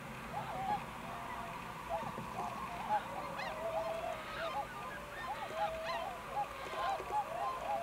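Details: Swans calling in Akita Prefecture, Japan, in November 2020, identified as the American tundra swan: dense overlapping bugling honks, each short and slightly rising then falling, continuing without pause over a soft murmuring background.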